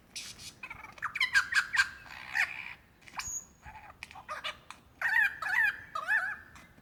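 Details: Calling for a mate in the forests of Dandenong Ranges National Park, Victoria, Australia, in February 2016, a male lyrebird runs a varied, mimicking song, including a kookaburra imitation. Loud bursts of rapid warbling trills, whip-like cracks and pure whistles come in clusters.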